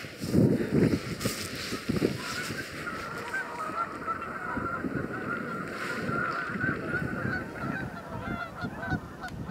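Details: Canada geese by the thousand on the Salmon River near Truro, 22 March 2014; a continuous, crowded chorus of honks, some nearer calls rising clearly above the mass, with a burst of wind noise at the start.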